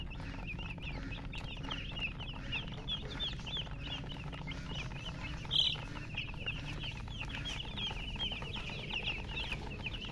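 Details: A group of chicks keeps up dense, high-pitched peeping, many short bent chirps a second, one louder squeak just past halfway, over steady low background noise.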